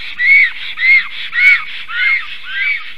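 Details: Male and female black storks at their tree nest calling against a strange stork that came near, midday on 12 July 2023; five loud, drawn, wheezy whistled notes about every 0.6 seconds, each arching up then down.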